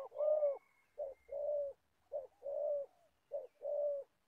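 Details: Trapping decoy spotted dove, an older bird from Gia Lai, Vietnam, delivering three low coo phrases, each a short opening note followed by a longer steady coo, evenly spaced.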